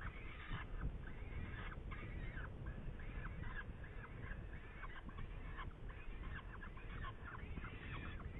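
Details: Saker falcon in Hungary, May 2019: continuous chattering of rasping, nasal harmonic notes in quick succession, each short and slightly wavering, with low rumbling noise throughout.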